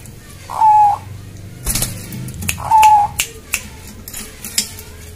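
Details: Bangkok-type zebra dove calling in greeting to its owner: two clear, level, cooing notes about two seconds apart, with wing flapping and knocking noises between them.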